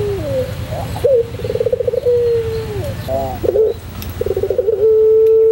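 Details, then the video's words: Master recording of a white pelung Barbary dove: low coos with rattling trills and long falling tones, a short burst of rising notes in between, ending on a flat steady tone, over low background hum. "masteran puter pelung putih manggung"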